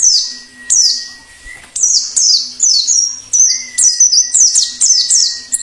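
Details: White-eye in the wild, song in the plengi ngalas style for luring wild birds and tutoring caged ones: high, sweeping downslurred chirps in short clusters, with a thin steady whistle-like tone and a low hum beneath.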